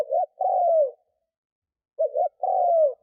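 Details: Decoy spotted dove cooing to attract wild doves: two clean phrases. Each is a quick double note followed by a drawn-out coo that slides downward, separated by a second of quiet.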